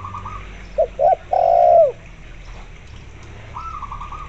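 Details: Spotted dove paired with a local zebra dove as a lure. One phrase has two quick coos and a long falling coo. Higher, bubbling zebra dove trills come before and after it.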